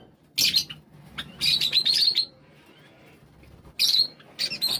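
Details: Java sparrows calling as the flock comes together, with three bursts of high, slightly squawky chirps, the middle one a longer wavering series, and a quiet stretch before the last bursts.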